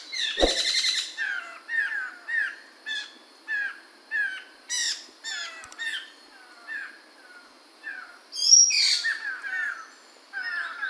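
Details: Chinese hwamei of the Mantel or Medan type, recorded in 2021, singing short, clear, descending whistled phrases repeated about every second, with loud harsh buzzy bursts near the start and again around the eighth second.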